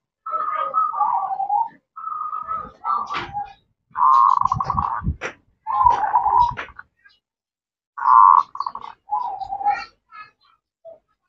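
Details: Zebra dove female calling the male, in captivity: repeated rolling burbled coo phrases with brief steady notes, mixed with clattering and knocking noises from the cage.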